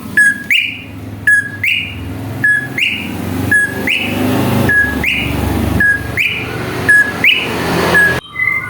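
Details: Greater green leafbird lure song for provoking other birds: a low whistle followed by a higher rising note, the pair repeated about once a second over a steady low rumble.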